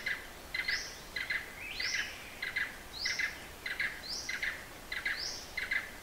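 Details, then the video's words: Hala-Bala Wildlife Sanctuary, far south of Thailand: a Blue-eared barbet repeats clipped double notes at an even pace, interleaved with short rising whistles, about six cycles, over soft background noise. "Синеухий бородастик (Psilopogon duvaucelii) Blue eared barbet"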